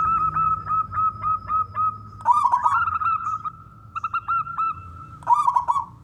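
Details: Male zebra dove (local perkutut) singing to draw other doves to call: short repeated coo notes at a steady pitch, then rolling bubbly phrases with brief gaps between bursts.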